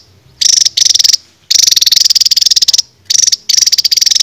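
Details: Old-style songbird, king of rapid-fire bursts, on a 2023 masteran training recording for cage birds: pulsed high buzzy rattles in bursts of varying length, the longest running over a second.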